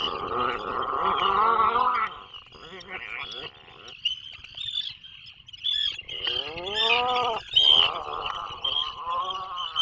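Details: Atlantic puffins raising young in a burrow off the Maine coast, 2024 season: a wavering harmonic groan, a pause of scratchy rustling, then a rising groan followed by another long moan.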